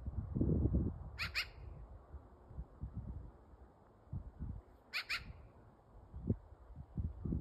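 A magpie gives two short, harsh, rasping squawks about four seconds apart, over steady low rumbling wind noise.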